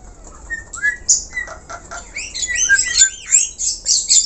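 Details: Black-collared starling singing energetically, used to lure other birds: a few thin whistles give way to quickening chatter, then a run of looping, bouncing whistled notes mixed with harsh high scratches.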